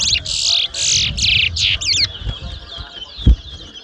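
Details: Towa towa seed finch competing at Mahaica, Guyana, 2022, delivers four or five loud buzzy bursts, then a doubled rising note, trailing into a soft high warble amid background chatter.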